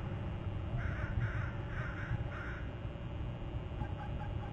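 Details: An eagle at a Hornby Island nest and territory cam on July 31 gives trills, a short run of about five thin, chattering notes, roughly two a second, over a low rumble of wind or distant traffic, while hopping to another branch.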